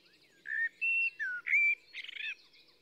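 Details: Blackbird song phrase of rich whistled notes, one a bright upward slur, closing with a scratchy, rapid high-pitched twitter; the background is calm with a faint low hum.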